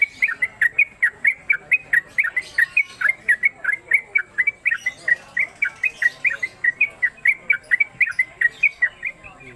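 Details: A newcomer caged Sooty-headed Bulbul in long, rapid 'konslet' singing, at home and on a hanging perch pole: a steady run of bright whistled notes, each dipping and rising, repeated almost three times per second for nearly ten seconds.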